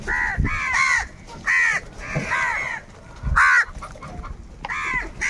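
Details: Harsh, arched caws of crows fighting for food, repeated in irregular bursts about every second, with occasional thumps and low noise between calls.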